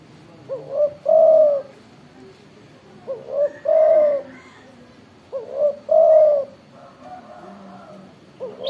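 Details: Zebra dove (tekukur) with a big, strong voice: a short rising note then a long rolling coo, the phrase repeated three times about every two and a half seconds, with faint background chatter.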